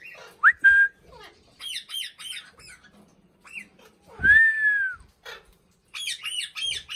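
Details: Pet Indian ringneck parakeet vocalizing indoors: quick rising whistles, a run of rapid, high, harmonic chattering notes, then a sustained arched whistle and more bursts of squeaky chatter.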